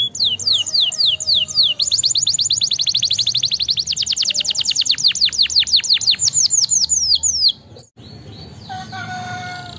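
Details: Canary singing to set off reluctant canaries: a loud rapid tour of falling whistled notes repeated many times a second, speeding up into a dense trill, then a brief pause and soft tones.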